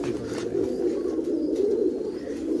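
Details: Biscuit-coloured female Giribaz domestic pigeon calling inside a loft, giving a soft, low, rolling coo that wavers steadily for nearly three seconds over faint room noise.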